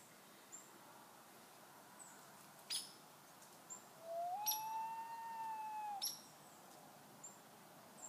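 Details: Loons calling in the morning mist, one of a family group; a single clear, mellow tone rises briefly, then holds level for about two seconds before easing down, with scattered faint clicks and ticks around it.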